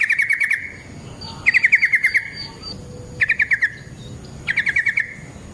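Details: Yellow-vented bulbul in a long rolling fighting song, played as a lure to make other bulbuls respond; four quick chattering trills, each slightly falling, spaced about every 1.5 seconds.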